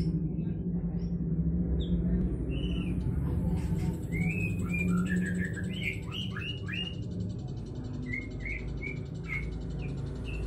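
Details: Juvenile magpie-robin learning to sing: soft, scattered whistled chirps and short rising notes, some in quick clusters, over a steady low hum.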